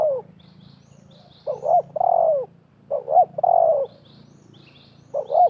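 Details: Wild spotted dove and a trapper's decoy dove calling against each other during bird trapping: hoarse cooing phrases of two short notes and a longer falling coo, repeated, with faint high chirps from other birds.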